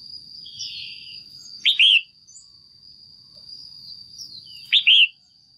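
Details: Female red-whiskered bulbul in a cage giving calls meant to stimulate a male or form a pair: two loud, clipped double chirps about three seconds apart, each preceded by a soft warble, with a high steady whine throughout.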